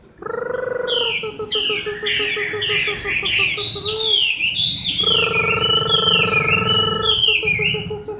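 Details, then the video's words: Moulting Chinese hwamei in October 2015, pouring out rapid, high, slurred whistles in quick succession. A loud, steady, pulsing hum underlies most of the passage. "HỌA MI THAY LÔNG"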